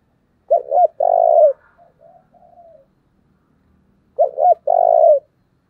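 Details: Decoy spotted dove calling in the thúc manner to stir up wild doves. Two loud phrases, quick double note then a sustained trembling coo, about three and a half seconds apart, with soft quiet coos between.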